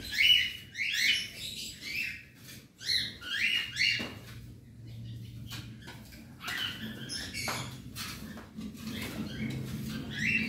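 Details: A colony aviary of about 100 cockatiels during routine cage cleaning gives many short, rising chirps in irregular bursts. Sharp clattering and knocking from the cleaning cut between the calls, and a low hum runs underneath.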